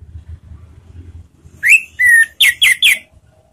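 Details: Orange-headed thrush (Anis Merah) ngeplong lure sound meant to make birds sing: after low background rumble, a rising whistle, a long falling slur and three quick buzzy notes.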